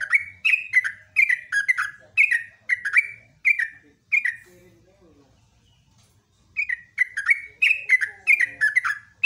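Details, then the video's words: Yellow-vented bulbul, a trucukan valued as gacor, singing in the morning: quick sequences of bright, downward-sliding bubbly notes, about two per second, broken by a silent gap of roughly two seconds before the chattering resumes. "JOGJOG/TRUCUKAN PALING GACOR"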